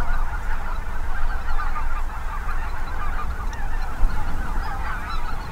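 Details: Tens of thousands of migrating Snow Geese mixed with Greater White-fronted, Ross's, Canada and Cackling Geese in western Minnesota. A ceaseless babble of nasal honks and yelps sits over heavy wind buffeting, with brief louder bursts near the end.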